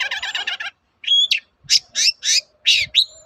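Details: Long-tailed shrike used as a lure to draw answers from other shrikes: an opening burst of fast, grating chatter, then a whistled note and a series of loud, rough squawking calls at a brisk, uneven pace.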